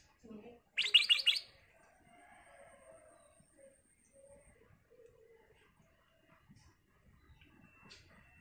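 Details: Black-crested bulbul singing chattily to prompt other birds: one fast, crisp burst of high notes, followed by soft low warbles and faint scattered chirps in a quiet background.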